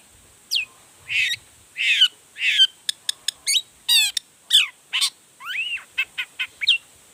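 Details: Long-tailed shrike showing off a varied repertoire meant to make rival shrikes sing back: a mixed series of rasping bursts, clicking ticks, rapid trill, and rising and falling whistled slurs, delivered quickly one after another.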